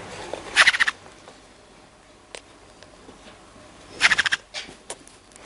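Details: Green-cheeked parakeet kept as a house bird, giving two short bursts of harsh, rasping, rapidly repeated screeches about three seconds apart, separated by near-silence with a few faint clicks.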